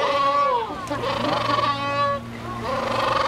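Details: Captive penguins in an enclosure at SeaWorld, San Diego, California, calling as they wait for fish when their handler arrives at feeding time: loud braying, harmonic-rich calls rising and falling, overlapping among several birds, with background murmur.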